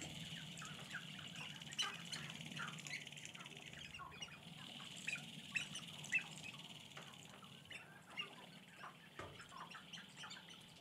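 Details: Sharp-tailed grouse, about 30 males, on their lek at dawn on April 4, 2021, north of Great Falls, Montana, cluck and cackle in a busy chorus of short, harsh squawks and chatters, with a low steady rumble beneath.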